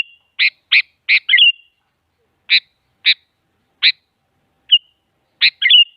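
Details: Female sooty-headed bulbul calling a male, played as a lure to prompt a silent bulbul; series of sharp chirps in quick succession ending in short whistled trills, repeated twice with pauses between.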